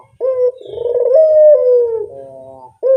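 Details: Puter dove lure call: one extended, burry coo rising a little mid-way and sliding down into a quieter tail, with the start of the next coo at the end.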